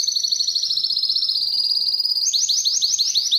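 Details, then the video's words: Canary song for attracting females to breed: a smooth high trill gliding slightly lower, followed by a faster string of looping, bouncing notes. "Canário cantando para atrair fêmeas para a reprodução"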